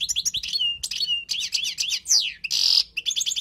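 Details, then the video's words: Wild European goldfinch song for tutoring: tumbling twitters, a long descending slurred note, then a loud buzzy burst before the quick chirping resumes. "تغريد حسون خلوي للتعليم"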